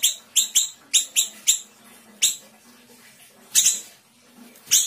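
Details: Small Sumatran siri-siri, a vigorously singing bird used as a master recording for training cage birds, in a fast, dense 'tembakan' style: sharp, high, clipped notes in quick bursts with short pauses between runs.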